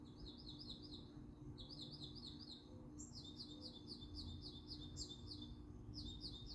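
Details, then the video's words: A bird sings bright, high-pitched phrases of quick downslurred notes in repeated clusters, each burst lasting about a second, over a steady low rural hum. "bird singing"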